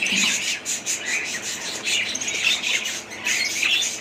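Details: Budgerigar chatter: raspy, scratchy squawks mixed with thin chirps, loud in bursts about every half second, with a continuous busy background of more calls.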